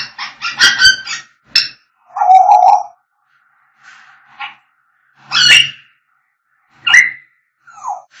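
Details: African grey parrots whistling and calling: rapid clicky chattering, a low buzzy drawn-out call, harsh squawks and a short falling whistle, varied sounds repeated over eight seconds, indoors.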